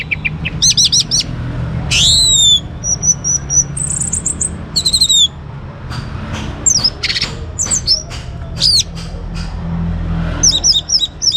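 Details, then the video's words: A young orange-headed thrush (Geokichla citrina) pours out a varied song of high, sweeping whistles and quick trilled phrases, changing every second or so, over a low background rumble. "ANIS MERAH Muda Gacor Untuk Pemancing Burung Berani Berkicau Ngeplong juga Teler"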